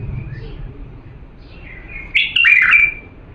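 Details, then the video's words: Bulbul of Diyala stock in song for schooling young birds: quiet faint notes, then one strong liquid phrase of slurred whistles in the last second and a half. "افضل تغريد بلبل ديالى الاصيل لتخريج الافراخ"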